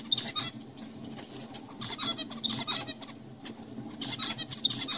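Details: Zebra finches in a laboratory at UT Southwestern Medical Center, adult males singing to young males to teach them their song; harsh, buzzy, broadband notes in short bursts about every second, with a low background hum.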